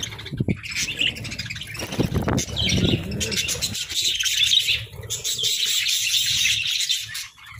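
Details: Budgerigars chirp and warble in a busy chorus. Thumps and flutter-like low sounds break in early, then steady high chattering takes over.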